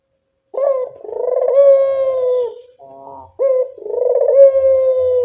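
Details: Barbary dove in the evening, call used to lure doves that seldom coo: a rising note and long purring coo, a soft low murmur, then a second rolling coo.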